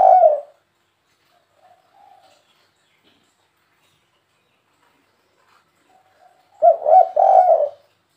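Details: Spotted dove, 'kuk 3' style call meant to lure wild birds. A brief coo opens, then long quiet with soft low notes, and a final three-part cooing phrase of throaty, mid-pitched notes.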